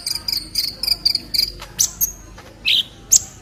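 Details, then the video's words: Olive-backed sunbird song for tutoring other birds: a quick, even series of high buzzy notes, then a few louder, separate squeaky upslurs. "MASTERAN KOLIBRI NINJA JERNIH"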